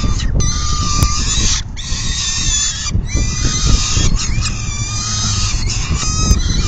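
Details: Peregrine falcon at the nest on 10 June 2022 around 4:08 pm during a full feeding. Harsh, harmonic wailing calls repeat almost without pause, with brief gaps, over steady low wind rumble.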